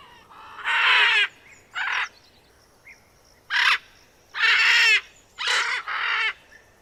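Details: Macaw screeching loudly, six harsh grating bursts, some long and tearing, others brief, spread across about seven seconds with quiet gaps between.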